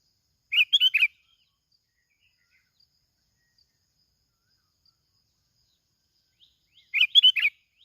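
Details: Lure recording of a plain-backed sparrow from Binh Thuan, Vietnam: two quick bursts of sharp chirping notes, roughly six seconds apart, with near silence between them.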